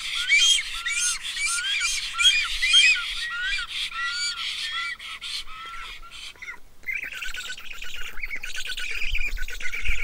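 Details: Black storks feeding their young give a dense run of harsh, squawking calls with short arched upslurred notes; a rougher, hissing burst follows near the end.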